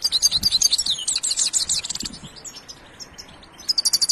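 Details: European goldfinch delivering a fast, liquid twittering song of high chirps packed closely together, fading into sparse notes before a final quick burst of repeated high chips.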